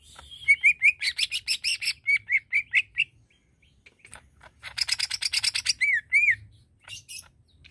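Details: Greater green leafbird singing to provoke aggression in other leafbirds: bright whistled notes near one pitch in quick runs, mixed with loud buzzy, rasping bursts, a pause, then another burst of harsh rattles and slurred whistles.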